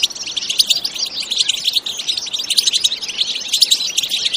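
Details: European goldfinch singing an energetic btebta-style song, recorded in nature without added effects: a dense, continuous stream of fast, high twittering and tinkling notes with no pauses.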